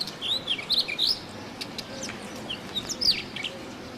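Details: A brown rock chat in Rajasthan, India, gives two short bursts of high, quick chirps and warbled notes, about two seconds apart, over a quiet background.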